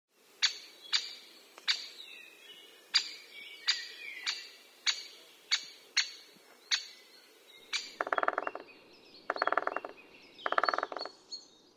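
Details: Great spotted woodpecker (Dendrocopos major): sharp, short 'kik' calls repeated roughly every 0.7 seconds, about eleven in a row, then three longer, harsher buzzy bursts near the end against a quiet background.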